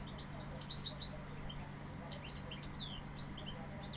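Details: Sevillian European goldfinch producing scattered, sharp, high chirps and short tinkling notes at an uneven, lively pace, some slurred downward; steady low hum in the background.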